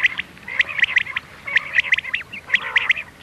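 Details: Common quail night-hunting call ('miankan' style) given as quick, sharp, clipped notes in small clusters, bright and high, about one cluster per second, with a faint constant hum below.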